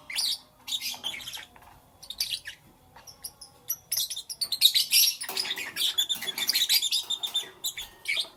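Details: Lovebirds chirping in the morning, shrill squeaky notes in broken bursts, then a long busy stretch of continuous rapid chatter.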